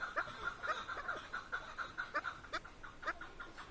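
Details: Chukar partridge (keklik) in Tajikistan giving a series of short clucking notes, repeated about every quarter second at a mid pitch, over a hissy background.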